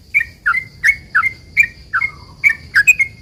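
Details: Sooty-headed bulbul, a long-trilling singer used as a lure to provoke other bulbuls to reply, giving a steady series of short bright chirped notes, each dropping then flicking up, about three per second, with a faint steady hum behind.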